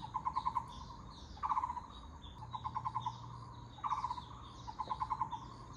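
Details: Taiwan barbets give hollow, rapid tok-tok-tok bursts of eight or nine notes, repeated every second or so, with a second bird overlapping and a faint low hum, under a blue sky.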